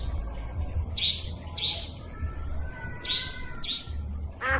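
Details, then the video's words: Forest nightjar (cabak hutan) call played as a trapping lure, said to work day and night: four sharp, scratchy rising squeals delivered in two pairs, a lower rasping note at the end, continuous low hum underneath. "Suara pikat burung cabak ribut ampuh"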